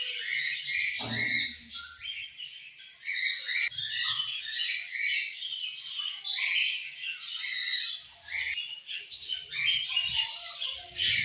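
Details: Group of budgies singing in the evening, varied chattering warble with squawks, high squeaks and rapid chirps in repeated bursts, a short low sound near the start.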